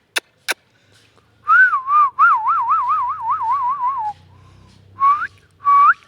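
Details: Talking Indian ringneck parakeet. Two sharp clicks, then a clear whistled tone that warbles up and down rapidly for about three seconds. Two short rising whistles follow.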